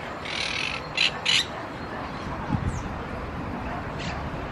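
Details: A monk parakeet in Palermo Park, Buenos Aires, Argentina, on 4 February 2018 gives harsh, grating squawks: one longer burst, then two short screeches in quick succession, over a steady low rumble of park and city noise.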